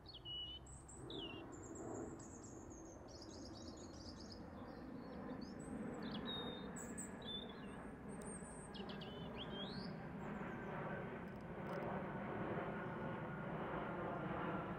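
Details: European robin, photographed with a Nikon camera, singing high, thin, quick phrases of sweet whistles and trills, separated by short pauses, over a steady low background rumble.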